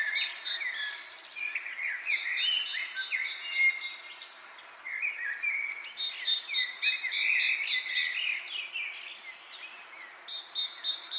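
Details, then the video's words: Birds chirping as wind moves through leaves: a dense, continuous chorus of quick sliding whistles and chirps, several voices overlapping, with a high steady pulsing tone running through parts of the stretch. "Wind blows leaves, leaves bird chirping sound"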